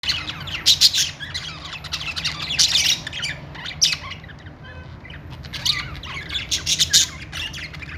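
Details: Several pet budgerigars chirping happily: dense bursts of rapid, scratchy high-pitched chatter and squawks, loudest around the first three seconds and again near six to seven seconds, over a low steady hum.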